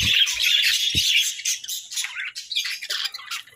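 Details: Several pet parakeets chattering: an opening burst of continuous high warbling, then broken, scratchy chirps and short squawky notes, with a couple of faint low knocks early on.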